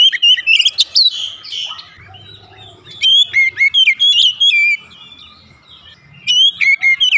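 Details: Morning singing by a white-rumped shama: energetic phrases of clear whistles and trills, about four notes per second, split by quieter gaps with faint low background noise.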